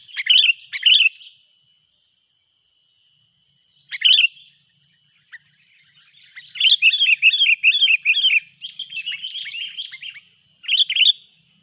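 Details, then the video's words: Sooty-headed bulbul calling noisily as a rival arrives, a lure recording from a mountain outing: bursts of bubbly, chattering chirps, then a long run of rapid warbled notes with short pauses, a faint steady tone behind. "Suara buRung kutilang ribut memanggil!!!! lawan pun datang."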